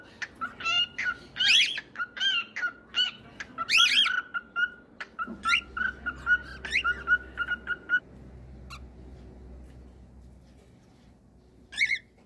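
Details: Cockatiel song mixing rapid short whistles with louder harsh, buzzy chirps, many notes packed together for eight seconds, then near silence with one final call at the end.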